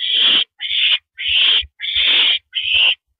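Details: Owl sitting on a porch perch, April 9, 2012, at 8:17 PM, gives five harsh rasping hisses in quick succession, each about half a second long.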